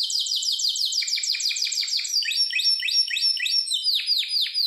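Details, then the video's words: A canary, described as a Harz Roller and as a Malinois, sings quick, high tours of repeated downward-sweeping notes, switching to a new rolling phrase about every two seconds, with no other sounds. "Harzer roller gesang"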